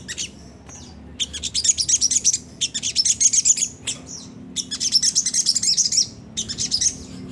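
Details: Sunda whistling thrush singing a harsh ngriwik phrase used to provoke caged birds into song. Long bursts of rapid, buzzy high chirps alternate with brief pauses, over a quiet background.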